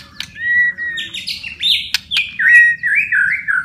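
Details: White-rumped shama in rich, varied song, used to stimulate silent or stressed shamas to sing: clear whistles sliding up and down, sharp chips and quick warbled phrases, over a low steady hum.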